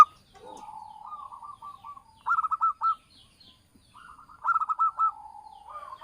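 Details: Local Javanese zebra dove used as a lure call for trapping: staccato, pulsed coos near the same mid pitch, given in short rolling bursts with quiet gaps, a faint low coo running between phrases.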